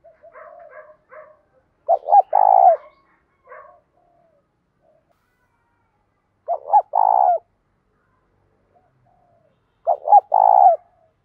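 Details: Spotted dove in "thổ pha thúc" voice, calling in the morning to bring in wild doves. After a few soft coos, three loud phrases of a short double note and a drawn-out coo come at roughly four-second intervals.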